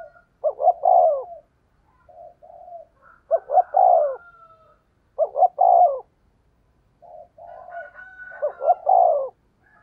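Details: Spotted dove giving decoy coos in 'thúc gù giọng thổ đồng' style: four low, hollow phrases spaced about two and a half seconds apart, each a broken double note leading into a rolling coo, softer murmurs between.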